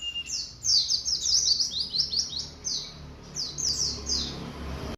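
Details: Young white-eye of three months trying out its song: a dense run of very high, rapidly repeated downslurred chirps, briefly pausing, then resuming in a shorter burst. Faint low hum underneath.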